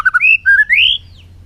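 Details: Recorded in 2021, a bird gives two short whistles followed by longer, smoothly rising whistled notes, clear and pure, ending in a soft fading slur.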